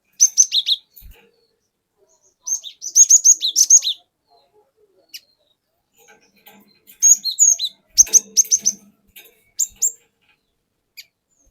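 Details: Forest-caught cinereous tit used as a lure bird, singing a long rolling song with wucit wuit notes: bursts of high, sharp chirping phrases at the start, around 3 seconds and from 7 to 10 seconds, separated by quiet gaps.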